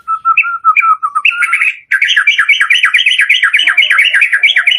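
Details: Murai batu, the white-rumped shama, giving a lure song with full variation: short whistled notes, then a sustained stream of fast, rhythmic, rolling warbled trills repeated steadily for several seconds.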